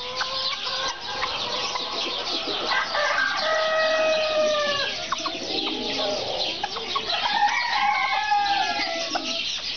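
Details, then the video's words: Serama chickens calling together, with overlapping crows held at steady pitch and a constant murmur of short clucks from the rest of the flock. "Serama chickens"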